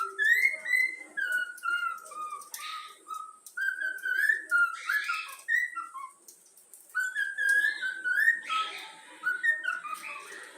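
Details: A pet yellow-cheeked cockatiel chick, taught to sing, whistles the Flamengo anthem in a melodic run of clear, sliding notes that mostly descend across phrases. Short gaps and faint rustling are heard between phrases.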